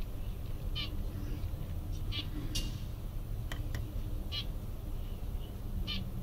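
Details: Mandarin duck chicks five days old: brief high peeps at irregular intervals, roughly one each second, against a constant low background drone.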